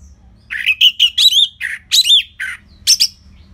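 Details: Orange-headed thrush in steady song used to coax other birds into singing: a fast run of varied rich whistles and harsher squawky notes, around ten phrases in under three seconds, recorded close and loud.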